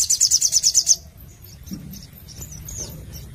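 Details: Crimson Sunbird (Sogon) singing in lively 'gacor nembak nglaper' style: a rapid high-pitched trill of about eight sharp notes lasting one second, followed by scattered thin, faint chirps over a low background hum.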